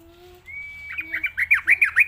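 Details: Yellow-vented bulbul lure song for training and tutoring young birds: a long steady whistle, then a fast run of bubbly, warbling notes repeated about every tenth of a second, growing louder toward the end.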